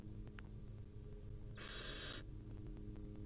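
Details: A single loud, rasping hiss lasting over half a second comes from a wild barn owl family, mother with chicks, in a nest, over a low steady hum.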